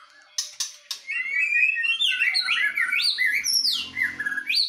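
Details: White-rumped shamas in a singing duel, a Medan bird against a forest-caught Nias bird: a rich run of loud whistled phrases that slide up and down, with quick rising and falling notes, after a few sharp clicks at the start.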